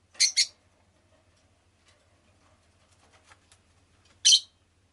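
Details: Rosy-faced lovebird, a pet bird, giving two sharp high chirps at the start and another near the end, separated by near silence with faint soft clicks and a low background hum.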